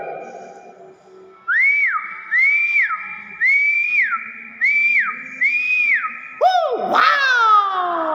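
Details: Nias hill myna repeating a clear arched whistle that rises then drops, five times at about one-second intervals, followed by a loud, harsh, sweeping call with rich overtones.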